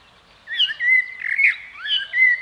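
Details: Common blackbird heard in a short run of mellow whistles and warbled notes, with brief pauses between phrases and a steady level tone at the end.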